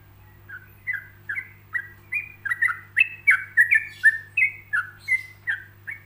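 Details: Yellow-vented bulbul song made for other bulbuls to copy, delivered in short spaced phrases: a fast run of bubbly, slurred whistled notes around mid-pitch, about three per second, over a steady low electrical hum.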